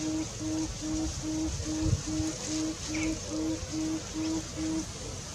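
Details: Tawny frogmouth filmed handheld on a Nikon Coolpix P500, giving its soft, deep, continuous ooo-ooo-ooo call: about a dozen low, even hoots spaced under half a second apart, over steady trickling water and background hiss.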